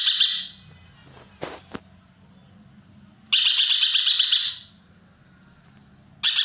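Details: Loud, grating, pulsed calls from a caged roller in Indonesia, used as a tutor bird for songbirds. A brief burst opens the recording, two sharp clicks follow, then a full second-long rattle and the start of another.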